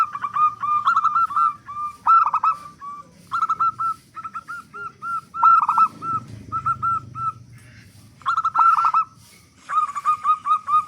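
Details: Loud local zebra dove serving as a lure so other doves start singing. Repeated phrases of quick staccato coos, each phrase opening with a fuller trill, separated by short pauses over about eleven seconds.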